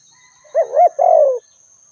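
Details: A spotted dove gives one soft, low coo phrase: a brief wavering note that swells, then a drawn-out falling coo, with a thin steady whine behind it.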